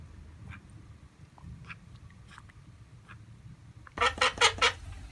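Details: Female call duck kept at a high school in Saitama, Japan, gives a short run of four loud, nasal quacks after a stretch of low background hum and faint distant calls.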